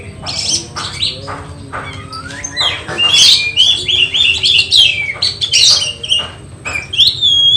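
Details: Oriental magpie-robin in training for a songbird competition, sung at home: sharp chattering bursts give way to a loud run of clear, slurred whistles, then more scratchy notes and a closing rising whistle.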